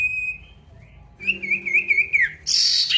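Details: Male pied bush chat calling an opponent: a brief steady whistle, a pause, then a warbling trilled phrase sliding downward, cut off by a loud hiss.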